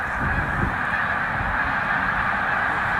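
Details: At Middle Creek wildlife refuge, a migration stopover for some 100,000 snow geese, the massed birds produce an even, unbroken roar of overlapping nasal honks.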